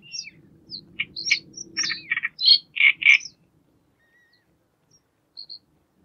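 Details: Great reed warbler singing during courtship display: a burst of high squeaks, rasping churrs and three loud croaking notes, then mostly quiet apart from a soft whistle and two short high notes; low rumbling background at first.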